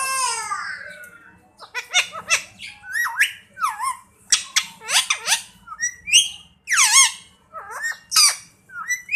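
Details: Indian parrot kept as a talking pet, known for saying Mian Mithu: loud whistled and squawky phrases, sharply rising and falling notes in quick bursts separated by short pauses, with a faint low hum behind.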